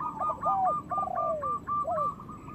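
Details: Local zebra dove singing loudly, a recording meant to prompt other doves to sing and come into breeding condition. A rapid series of short bubbling coos runs alongside a longer, lower, drawn-out coo that slides downward, over steady background noise.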